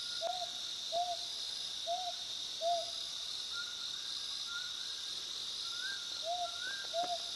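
Mountain scops owl giving short, soft whistled hoots, roughly one every second, with a few higher notes later, over a constant shrill chorus of night insects.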